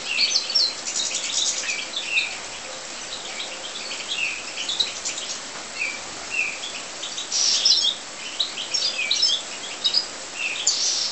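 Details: European goldfinches in an aviary: high, rapid twittering and tinkling chirps, densely overlapping in lively bursts throughout, with brief fuller phrases, over a quiet background.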